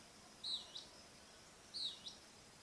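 A Greenish elaenia gives two thin, high, slurred call notes about a second apart, each followed by a softer note, over a faint background hiss.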